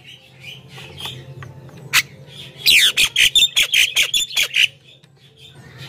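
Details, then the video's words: Javan myna song meant to call wild mynas: a few scattered harsh notes, then a fast burst of about a dozen rasping, chattering notes over two seconds, with a low hum throughout. "suara burung jalak kebo gacor,ocehan full bikin jalak lain ikut gacor dalam sekejap"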